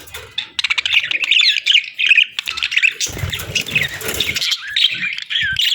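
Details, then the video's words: Budgerigars warbling nonstop, a scratchy high twittering stream with quick clicks and squeaks, some low rustling noise underneath midway. "Sweet Budgie Chirping Sounds"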